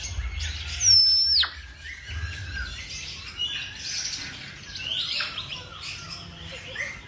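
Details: Birds singing in the morning: a sharp, high whistle near the start holds briefly and then drops steeply, followed by scattered bright chirps and twitters, with a low rumble early on.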